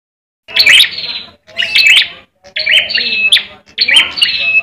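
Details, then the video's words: Bar-winged prinia, the red ciblek kept for Indonesian song contests, fighting song: after silence, four loud harsh phrases of buzzy, chattering notes and whistles, each about a second long, separated by brief gaps. "ciblek merah tarung"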